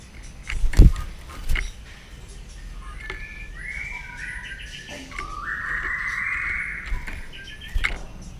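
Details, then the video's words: Morning voice-training song of a white-rumped shama: after a couple of dull thumps, a sustained run of warbled, fluttering whistles holds steady at mid-high pitch for several seconds, with faint low background noise. "chòe lửa hót sáng luyện giọng chòe lửa hót"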